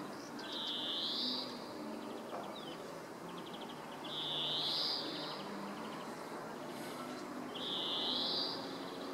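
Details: A European greenfinch in Alvor, Algarve, Portugal, in 2015 gives three drawn-out, wheezy rising buzzes. Each is led in by a quick dry twitter, roughly every three and a half seconds over soft background hiss.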